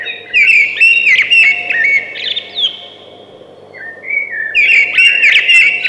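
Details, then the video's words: Singing thrush: a loud, complex phrase of quick whistles and trills, a quiet gap, then a rising whistle leading into another rich warbled phrase. "Beautiful Thrush Singing"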